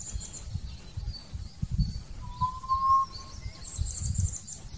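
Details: Hill partridge song: one long, pure whistle climbing gently in pitch, set against high chirping of other birds and a low rustle of wind.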